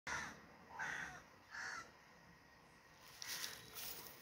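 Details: Crow giving three harsh, hoarse caws about once every 0.8 seconds, followed by quieter rustling and a faint hiss toward the end.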